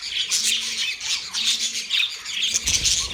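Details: Several budgies chattering together in a busy, unbroken stream of rasping chirps and high squeaky notes, pulsing roughly once a second, with a few sharp whistled peeps near the end.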